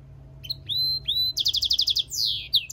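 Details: Mule finch from goldfinch and canary: three rising, clear whistled notes lead into a rapid stuttering trill of about ten bright notes and a sweeping downslurred end.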